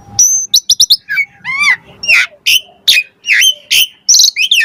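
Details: Asian pied starling (jalak suren) song used as a lure to make other starlings answer: varied, full-filled phrases mixing bright high whistles, rapid clicks and lower slurred notes rising and falling, separated by short pauses.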